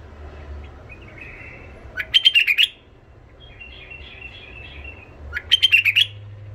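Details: Tame white-eared bulbul from Iraq, known for a harsh, golden-throated voice, gives two loud bursts of quick, warbled, slightly descending notes separated by soft, low chatter, in a quiet indoor-sounding setting.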